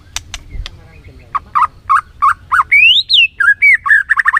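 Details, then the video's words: Lure song of a white-rumped shama meant to excite a reluctant bird into singing: sharp clicks, a run of short chirpy notes, then a long rising whistle that peaks and falls, followed by quick repeated whistled notes. "PANCINGAN MURAI BATU BONGKAR ISIAN GACOR, MURAI BATU MALAS NAIK EMOSI LANGSUNG BUNYI GACOR."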